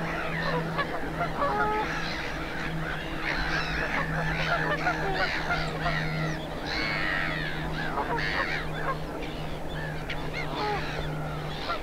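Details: Flock of greylag geese with their young, Cotswold Water Park in Gloucestershire, 4 May 2022. Continuous chorus of harsh, overlapping honks and gabbling calls over a constant low droning hum.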